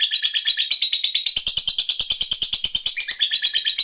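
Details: Pet lovebird giving a long ngekek trill: an unbroken, high chattering rattle pulsing about five times a second throughout, sustained without pause.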